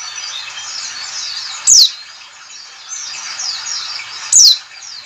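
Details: Calls used to coax white-eyes into singing: a steady wash of thin, high chattering twitters, broken twice by a loud, piercing downward-sliding note.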